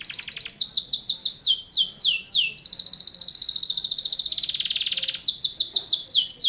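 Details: Canary performing 'tembakan rapat' song: repeated falling whistled sweeps, a long rapid dense trill lasting over two seconds, then the downward sweeps return.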